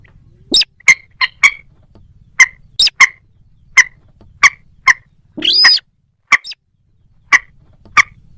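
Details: Moorhen, locally called ডুংখোর পাখি, giving short sharp clicking notes repeated at irregular intervals of roughly half a second, with one brief higher rising whistled note near the middle.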